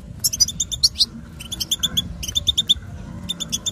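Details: Batbata chatter of a female European goldfinch, a call used to prompt males into singing and mating: quick clusters of bright, high tinkling chirps in four bursts, each packed with fast repeated notes over a soft low hum.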